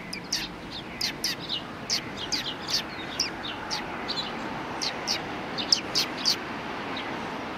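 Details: Steady chirping from a group of Eurasian tree sparrows taking a rest after feeding, 26 January 2020: short bright notes repeated every fraction of a second for the whole clip.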